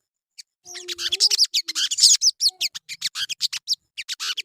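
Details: Lure song of the sogon, or crimson sunbird, for prompting birds to sing: a quick series of sharp, high, clipped chips and trills, about five per second, with a faint low whistle at the start.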